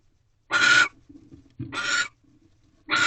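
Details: Barn owl pair at a nest box just after midnight in March, the male bringing a rabbit to the egg-laying female. Three loud, rasping, breathy screeches come roughly a second apart, with soft low murmuring sounds between them.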